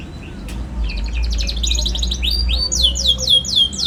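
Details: Young canary song for teaching other canaries: a buzzy rattle gives way to loud, repeated downslurred chirps about four per second, over a low background rumble.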